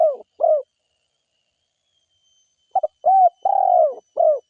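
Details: Spotted dove, a lively forest caller, gives two short coos, falls silent for about two seconds, then resumes with a stuttered pair of notes, an arched coo and a long throaty rolling coo. A faint high tone is present.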